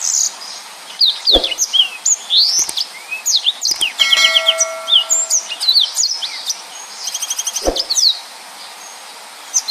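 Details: Yellow-fronted canary singing in the energetic, dense 'nembak full rapet' style used to tutor other songbirds. It gives fast bright chirps, slurred rising and falling whistles and rapid trills. A brief even harmonic tone sounds midway, and two sharp knocks are heard.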